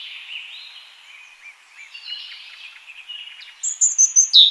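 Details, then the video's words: European robin in the wild, a soft, faint warbling opening that builds into a loud series of high, thin whistled notes near the end, repeated in quick succession. "european robin chirping in the wild"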